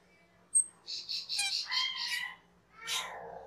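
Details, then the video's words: Cucak keling song recorded as a master for training cage birds: one sharp high whistle, a quick series of buzzy chirps, then a harmonic descending call. "SUARA MASTERAN CUCAK KELING/KERLING"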